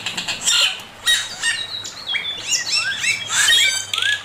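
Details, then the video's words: Male Chinese hwamei master song: harsh rasping bursts alternate with quick runs of rising whistled notes, delivered in a lively, continuous stream. "Burung poksay mandarin suara masteran Poksay mandarin jantan"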